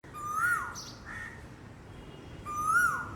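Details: Asian koel calling: two clear whistled notes that rise then drop, about two seconds apart, with a short harsh crow-like note between them.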